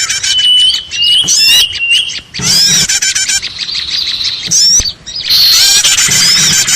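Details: Lure chorus of small birds for trapping: a thin level whistle under rapid chirps, then dense squeaky twittering that dips briefly twice before a loud final burst.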